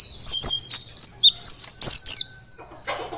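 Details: Energetic song of a wild-caught mountain white-eye, Dakun type from Merapi, kept as a tutor for other birds: bursts of loud, high, tumbling twitters with a brief pause, then a quiet rustle.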